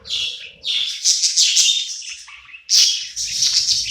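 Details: Happy budgerigar in its new home at night, singing in loud, buzzy, rolling phrases with a strong chirp burst near the close and faint low rumble.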